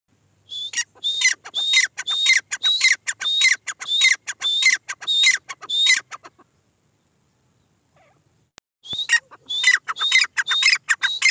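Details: Female grey francolin (teetar) calling: a rapid series of sharp, high, clipped notes repeated almost twice a second for about six seconds, a pause, then the series resumes.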